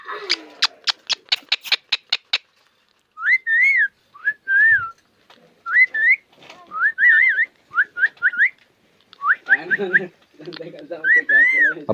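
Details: Old pet parrot from a Konkan village, over 25 years of age: opens with a rapid train of about twelve dry clicks, then a string of warbled whistles that rise and dip, ending amid soft background noise.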